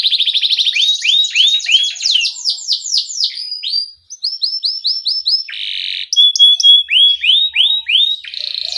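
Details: Young canaries are meant to learn from this gacor canary's ngerol song: strings of bright upslurred chirps and rolls, a short gap near the middle, then a buzzy burst and more rising chirps.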